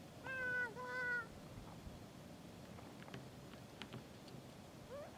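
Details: Kea trying without success to break into some gear: two drawn-out, nasal, slightly wavering calls in quick succession, then quiet with faint scattered ticks.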